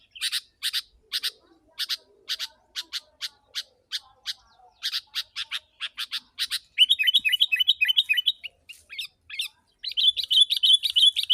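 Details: Sooty-headed bulbul recorded as a lure for wild birds: a run of sharp, doubled high chirps about three per second, then fast, bubbly, warbling notes in dense rapid bursts, with a brief pause between bursts.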